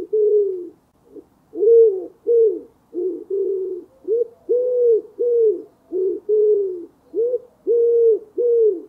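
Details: Wild common wood pigeon giving its voice: a steady run of deep, muffled coos, some drawn out and others clipped, following one another in a rhythmic phrase with short gaps; quiet background.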